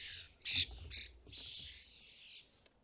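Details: European starlings at a custom-built bird feeder in the UK during fledgling season, with parents feeding fledglings. A few harsh, hissing squawks with one loud burst, separated by short gaps.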